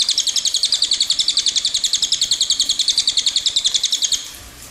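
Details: A cililin rolls out a long run of quick, high, tinkling notes at a steady rapid beat. The trill lasts about four seconds, then stops abruptly.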